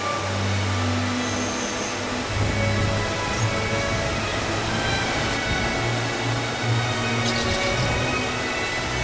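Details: Steady music with low droning tones over a constant rushing wash of noise, with no animal voice standing out.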